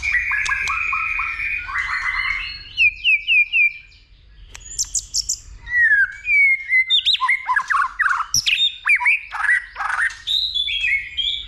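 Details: White-rumped shama in fighting song, stimulated by a female, with repeated clicking and tail-flicking: rich whistled phrases near the start, a pause, then fast bursts of sharp rising and falling notes.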